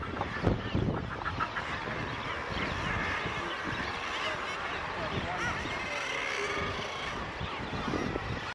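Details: Northern fulmars on the Farne Islands in July 2006 cackle in a dense, guttural, throaty chorus that runs continuously, with wind and surf rumbling underneath.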